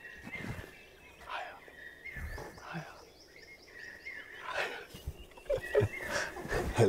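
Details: Common hawk-cuckoo in Bandhavgarh National Park, India, gives its shrill, repeated 'brain-fever' phrases about two seconds apart, rising in pitch to a crescendo, while a man talks over them amid faint outdoor background during a tiger safari.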